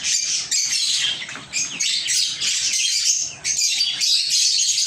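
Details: Lovebirds chirping: dense, continuous high-pitched chattering and squeaky twitters from several birds, overlapping with brief pauses around one and three and a half seconds.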